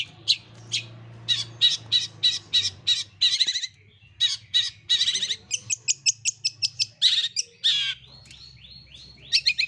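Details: Long-tailed shrike singing a greja sambung kunti fill: sharp high chirps in quick strings, with a pause near the middle. Later come fast ticking notes and a short run of rising whistled slurs. A soft low hum sits underneath.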